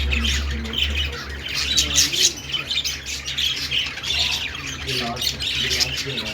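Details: Budgerigar chatter with harsh squawks mixed into rapid chirping and scratchy warbles, a steady low hum running through the background throughout.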